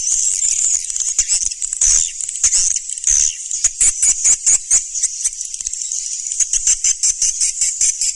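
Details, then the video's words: Surya Mentari swiftlet calls, 2019: shrill twittering chatter that turns into a rapid series of crisp, regular clicks over the second half. "SUARA BURUNG WALET SURYA MENTARI"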